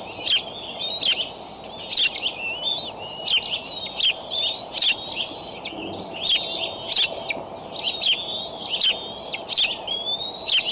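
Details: Eagles at a Decorah nest camera on 25 May 2012 around 6:50 am CDT, as the adult male brings a raccoon to three eaglets aged 55 to 59 days. Thin, high whistled notes rise and waver, repeatedly broken by sharp clicky bursts.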